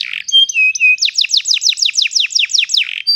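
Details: Training song of a canary for young learners: a few clear level whistles followed by a run of about a dozen rapid descending chirps and a short buzzy note.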